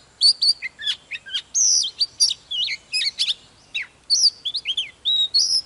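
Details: Oriental magpie-robin, a mature wild-caught bird, in fired-up morning song while displaying: rapid varied whistled phrases, sharp upslurs and downslurs and short buzzy notes in quick bursts with brief pauses.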